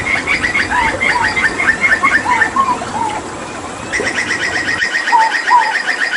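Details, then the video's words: A captive hooded butcherbird (Cracticus cassicus) from Papua, a mimic of other birds, gives rapid runs of bright, repeated chirping notes mixed with lower fluted slurs, pausing briefly midway before the bursts resume. "Tembakan JAGAL PAPUA gacor"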